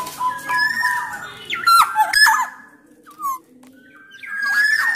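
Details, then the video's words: Black-naped orioles, Sumbawa birds with Javan males and females, singing loudly to prompt others; long, level fluty whistles broken by sharp clicks, a short dropping note, then a rising whistle at the end. "KICAUAN KEPODANG EMAS GACOR SUARA KERAS"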